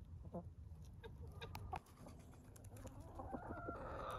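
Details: Hens and roosters clucking at the end of the day as they are said goodnight to; soft, irregular clucks around three per second, with a higher drawn-out note near the end over low rumbling background noise.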